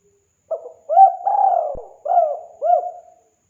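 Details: Spotted dove calling in a lure recording gives one complete phrase: a brief soft note, a rising hoot, a long sustained coo, then two rounded hoots. The coos are soft and throaty over a silent background.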